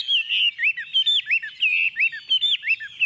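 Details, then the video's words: Confident song from a tame Chinese hwamei placed on a table: clear slurred whistles, some rising and some dropping, repeated in quick succession, about one and a half notes per second, with no other sounds. "Họa mi thuần xách tay đặt bàn tự tin hót"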